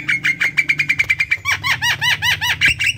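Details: Javan myna singing energetically to encourage other mynas to join in: a fast string of scratchy notes with a steady high whistle underneath, then repeated downslurred, hooked whistles about three per second, with a faint low hum.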